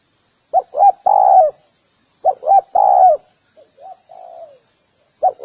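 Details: Spotted dove calling in a repeated cooing phrase: two short rising coos followed by a long, slurred falling note, the pattern repeated about every one and a half seconds with a softer variant between.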